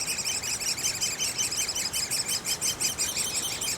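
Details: Young great spotted woodpeckers in a nest keep up an unbroken, fast chorus of shrill nasal squeaks, nearly three each second, steady and insistent throughout.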